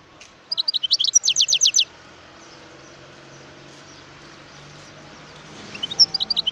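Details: Wild European goldfinch from Algeria singing: a quick burst of bright, high twittering notes and a rapid trill lasting just over a second, then a pause with faint background hiss before another tinkling phrase begins.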